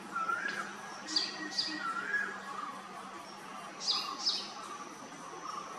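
A male purple sunbird gives short, high, sharp chips in pairs, with softer lower notes between, over a quiet steady background hiss.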